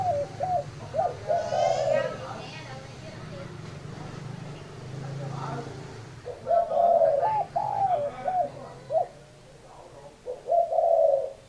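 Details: Spotted dove coo phrases of short hooked notes and long rough notes, interrupted in the middle by a person speaking.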